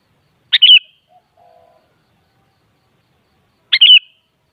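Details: Sooty-headed bulbul (kutilang) song used to prompt a kutilang to answer: two quick chirp-and-whistle phrases about three seconds apart, with a faint low murmur between them.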